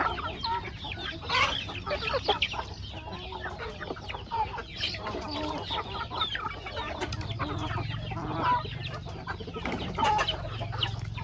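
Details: Feeding chickens on a rustic farmyard peck at corn, murmuring in continuous low clucks with occasional sharper notes and a low rumbling hum in the background.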